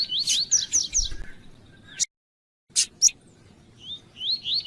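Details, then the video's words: A female double-collared seedeater (Sporophila caerulescens) call plays alongside a singing male, used to excite a male for song tournaments: high, wavy whistled notes and quick sharp chirps in short bursts, broken by a sudden silent gap. "Piado de fêmea de coleiro e coleiro tui tui cantando"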